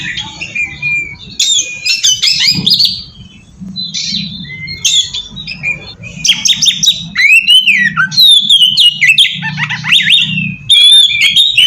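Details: Oriental magpie-robin song played to attract other magpie-robins, delivered in bursts of harsh chatter and bright whistles separated by short pauses, growing louder and more sustained in the second half, low hum behind.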